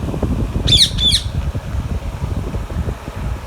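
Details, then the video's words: An Alexandrine parakeet gives two harsh, raspy squawks in quick succession over a low, steady rumble. "Alexandrine Parrot and Ringneck parrot talking natural sounds"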